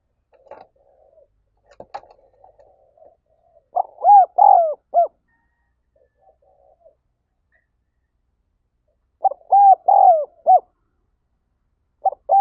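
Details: Spotted dove in gáy gọi calling, quiet scattered notes at first, then two loud low phrases of rounded and falling coos about five seconds apart, the start of a third at the end.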